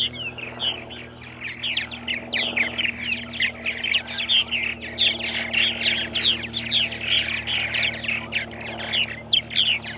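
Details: Purple martins calling at Center Moriches, Long Island, New York, 8:30 AM on 14 April 2012, a spring morning: a dense, continuous stream of gurgling, creaky chirps overlapping from several birds, with a steady low hum beneath.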